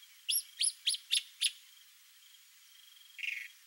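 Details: Male chalk-browed mockingbird singing to show off to a female: five clear, arched, ringing notes at an even pace, then a short buzzy rasp after a pause, over a faint steady high hiss.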